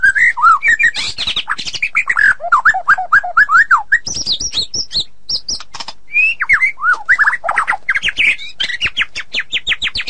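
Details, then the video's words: White-rumped shama song used to train songbirds: loud, rich, slurred whistles and rapid warbles, with high scratchy passages and quick chatter, delivered almost without pause. "Suara Masteran Burung Murai Batu"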